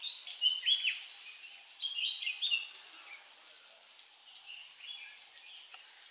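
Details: Bulbuls in the Western Ghats give short, bright chirping bursts in two quick clusters, then softer notes, over a steady high insect hiss.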